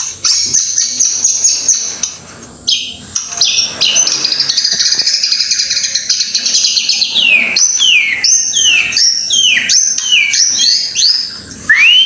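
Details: A long, rich song by an Indonesian white-rumped shama, packed with rapid high warbles, trills and sweeping whistles that grow more varied and looping toward the end, barely pausing.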